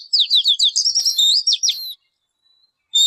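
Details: A bird delivers a fast, jumbled phrase of high bouncing whistles and buzzy trilled notes for about two seconds, then falls silent before starting again.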